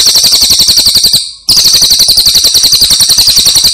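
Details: Brown cililin songbird in a master recording for training birds: a shrill, rapid rolling trill of evenly repeated high notes, about four per second, with a brief break of silence before the trill resumes.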